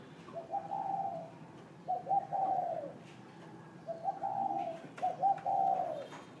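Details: In the morning, a spotted dove (Spilopelia chinensis) gives two soft, hollow cooing phrases in quick succession, each a low two- or three-note coo ending in a drawn-out fall, with faint room noise.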